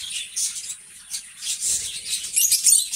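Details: Two lovebirds, best friends, chirping in rapid, high, scratchy bursts, about four a second, with some squeaky notes mixed in over a low rumble.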